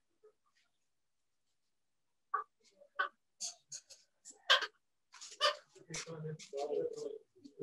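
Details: Two parrots calling to each other, possibly in English words. After near silence come short sharp clicks and squeaks that build into a denser, lower, garbled muttering.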